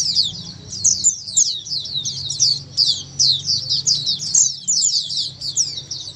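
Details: A chorus of many Oriental white-eyes, meant to prompt a silent bird to answer and sing: thin, high, rapid chirping in overlapping bursts that swell and fade every second or so, over a low hum.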